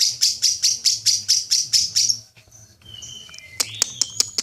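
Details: Long-chatter lovebird for contests: two seconds of evenly spaced loud, harsh chirps, about five per second, fading into a quiet gap with thin whistles and a few sharp ticks.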